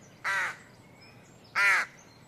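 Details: Outdoor birds calling with two harsh, hoarse notes about a second apart, each short and rasping, over a quiet natural background with faint distant chirps.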